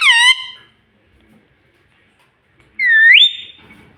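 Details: Pet green ringneck parrot mimicking speech indoors: a short falling squawk, nearly three seconds of quiet, then a rising drawn-out whistled phrase that trails off.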